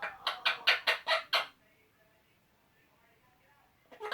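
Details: Two male pet Eclectus parrots chatting to each other with silly noises: a run of six loud, harsh, evenly spaced squawks over one and a half seconds, then near silence before another squawk begins.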